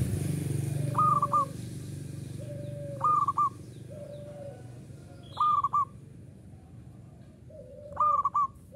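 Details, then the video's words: Local Indonesian zebra dove singing actively in the ngayer style: short, bright, broken cooing phrases of several quick notes, repeated every two to three seconds, alternating with lower, drawn-out flat coos, with faint high chirps and low background rumble. "SUARA PERKUTUT LOKAL URAA UMUM GACOR NGAYER"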